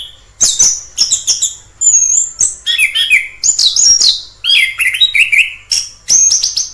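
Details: Free-living orange-headed thrush pouring out a rich song of sweet whistles, trills and high chirps, phrases linked closely with many pitch changes.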